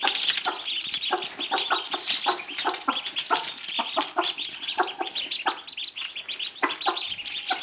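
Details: A Cochin hen that hatched ducklings, whose voice changed to a duck-like cry, gives high, squeaky cries in quick bursts, several each second, over a dense chatter of clucks and peeps.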